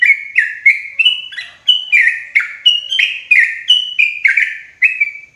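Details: Sooty-headed bulbul calling as a loud, clear trapping lure for forest: a lively, even series of about fifteen bright, bubbly chirps that step up and down in pitch.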